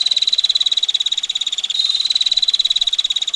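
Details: Female bar-winged prinia trilling in dense, harsh ticks at a rapid even pace, with a brief pitch change midway and gentle water noise underneath.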